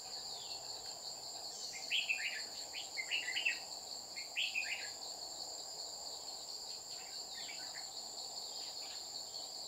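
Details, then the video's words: Red-whiskered bulbul decoy singing while trapping in Dong Nai on 30 July 2019: a run of lively warbled notes around the second and fourth seconds, then fading, under continuous high-pitched insect buzzing. "Bẫy chào mào Má lỡ xuống dọa mồi liên tục"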